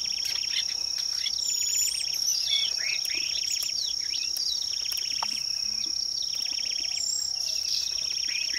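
Firethroat giving bursts of dry, buzzy trills and short high whistles, repeated every second or two, over a constant shrill insect drone.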